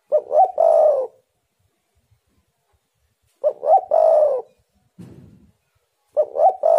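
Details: Spotted dove, used as a lure to make wild doves call: three cooing phrases, each a pair of short rising notes then a longer falling coo, repeated about every three seconds, with a low rumble between.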